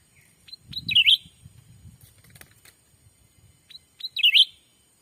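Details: Call of a black-capped bulbul used to entice wild birds in Sumatra's forest: two bouncy, zigzagging chirps a few seconds apart, each after short upward pips, over soft low rumbling and rustle.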